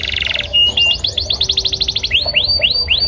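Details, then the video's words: A male yellow canary sings a fast rolling trill of rapid repeated notes, then a slower run of rising, upswept whistles, all bright and high-pitched. "Yellow Canary Bird Singing Male"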